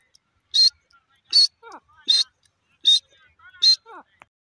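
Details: Grey francolin calling: loud, shrill, harsh notes repeated roughly every three-quarters of a second, five in about four seconds. Each note is trailed by softer falling squeaks. The background is otherwise quiet.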